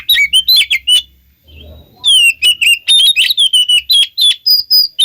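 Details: Oriental magpie-robin song played to lure other magpie-robins into answering: rapid, bright whistled notes, then a short pause and a steadier run of clear whistles and chips.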